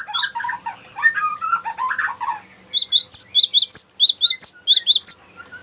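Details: Cinereous tit in long rolling ngerol song, a lure and master song: jumbled mid-pitched warbling notes, then a brisk series of high, sharp chirps repeated several times a second.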